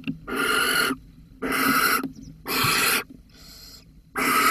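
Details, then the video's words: Barn owl at Holten, recorded 13 May 2020, demanding a mouse: long harsh hissing screeches, each about half a second to a second, in four loud bursts separated by short quiet gaps. "Kerkuil Holten 2020 05 13 Hierrr met die muis"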